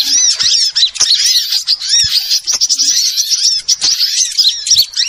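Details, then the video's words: Small birds calling on a lure recording meant to attract wild birds for trapping: piercing, rapid chirps and thin squeaks overlap in a dense, agitated chatter. "suara Pikat burung Kecil super tajem"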